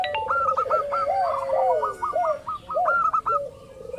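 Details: Local zebra dove used as a lure to draw other doves into calling: rapid runs of short hooked staccato notes overlapping lower gurgling, warbled cooing phrases, several birds calling together.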